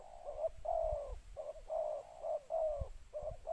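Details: Decoy spotted dove giving its attracting call in the two-note style: clear, mellow coos of mixed length repeated quickly, with occasional faint low thumps.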